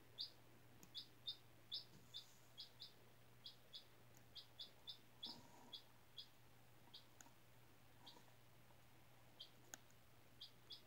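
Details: Single four-day-old domestic chick hatched in a school incubator, kept indoors on freshly changed bedding; high, short peeps repeated in bursts about two to three per second, with a steady low electrical hum beneath.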